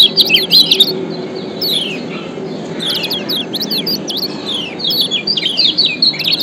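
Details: A Lombok lemon-bellied white-eye, in a recording used to lure other birds into song, gives rapid, high, thin chirps and slurred twitters tumbling over one another, with a faint low hum beneath.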